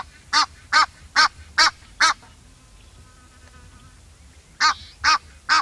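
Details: Egyptian goose calling in a fast series of five harsh, reedy honks at a steady beat, a short pause, then three more in the same rhythm; low background rumble.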